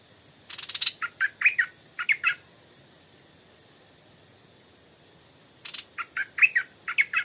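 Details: Evening song of a Stripe-throated bulbul attracted to a decoy: two phrases, each opening with a buzzy rasp and followed by bubbly, slurred notes, separated by a pause of about three seconds with faint thin whistles.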